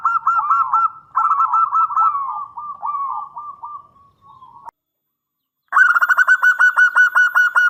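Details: Local Indonesian zebra dove in full song, used as a lure and tutor recording. Wavering, slurred coos fade away, then after a silence a rapid, even series of short clipped notes begins.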